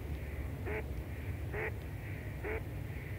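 A goosander gives three short, hoarse, rasping croaks about one second apart over a steady low rumble of wind or water.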